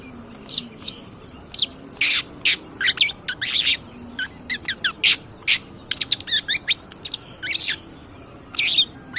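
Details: Long-tailed shrike, a cendet pastol singing energetically, recorded as lure training for other birds: varied rasping bursts mixed with quick sharp chirps and clicks in uneven bunches.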